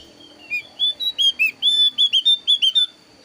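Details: Javan grey-throated white-eye of the thin-browed (alis tipis) variety, varied lure song used to draw birds for trapping: about a dozen clear whistled notes, rising and falling, in a quick uneven run over a steady high tone.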